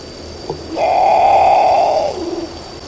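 A Great Potoo gives one loud, harsh, guttural roar lasting over a second, ending in a short falling growl. A brief click comes just before it.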